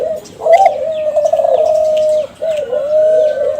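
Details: Young captive Kelantan zebra doves from a contest-champion line, song used as a lure to make other doves respond: loud, low, drawn-out cooing notes with a quiver and a brief dip between phrases, faint small-bird chirps above.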